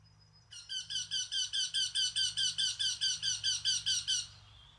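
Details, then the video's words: A Eurasian wryneck repeats a loud, plaintive nasal 'quee' about sixteen times at a brisk, even pace, each note slightly falling, against a quiet steady low hum. "Śpiew krętogłowa"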